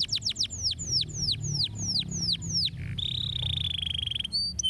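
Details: Canary singing to stimulate other birds: quick then slower repeated down-slurred whistles, about a dozen, followed by a level buzzy trill and a couple of short high notes, over faint low rumble.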